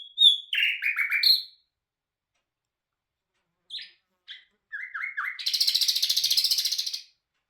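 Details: Bulbul hazar dastan, the nightingale, sings a dense opening phrase, two short notes after a pause, a chain of falling chirps, then a long rapid, even trill.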